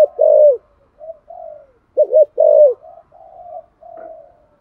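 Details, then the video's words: Spotted dove in 'giọng thổ' voice, cooing to set other doves off; a loud bowed coo, soft low murmurs, a quick double note and another full coo, then gentle trailing hums. "cu gáy thúc gù giọng thổ hay và chuẩn nhất 2023/ tiếng chim cu gáy kích bổi"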